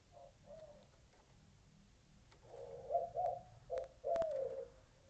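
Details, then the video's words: Mourning doves building a nest in a backyard, recorded March 14, 2024: two soft low coos first, then louder mellow hooting coos in a run of four, the last one sliding downward, with a couple of sharp clicks. "The sound at 1:35 are mourning doves."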